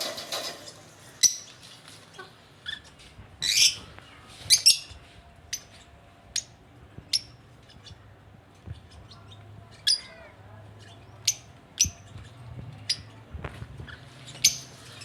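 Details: Caged lovebird giving sharp, high, clipped chirps and brief squawks at irregular intervals of one to two seconds, with a faint low hum beneath.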